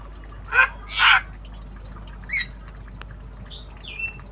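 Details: Tame Javan myna learning sounds, obyogan style: two harsh squawks, a softer rasp, then two short whistled notes falling slightly in pitch.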